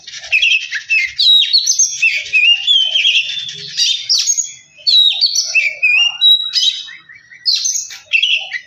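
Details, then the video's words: Song of an Oriental magpie-robin used as a lure to get another bird singing: dense, continuous run of sweet whistles, trills and grating notes, pausing briefly near the middle before resuming. "Kacer males bunyi jadi gacor 🔥 pancingan Kacer biar cepat gacor dan emosi"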